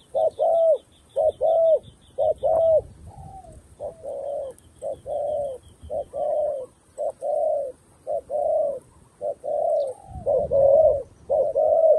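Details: Decoy dove calling down wild doves: a long run of low, even coos, roughly one per second, steady and repeated throughout, with faint high bird chatter in the background.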